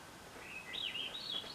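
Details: Swainson's thrush singing in woods at the end of June 2024, described as first to sing in the morning and last at night: a faint, fluty phrase spiraling upward in quick, rising whistled notes.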